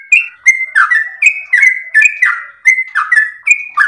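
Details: A sooty-headed bulbul pours out sweet, long-breath song intended as a master recording. Steady whistled notes, some level and some swooping downward, follow one another in a brisk, unbroken flow.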